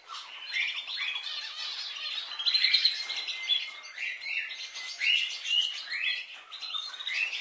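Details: Pet budgerigars giving a continuous, lively warbling trill, fast chattering notes and short whistled slurs running without pause for over seven seconds.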